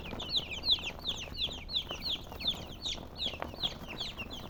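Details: Colored chickens chirping, the peeps clearer and more separate here, sharp high notes dropping in pitch and repeated about three times a second, over faint low background rumble.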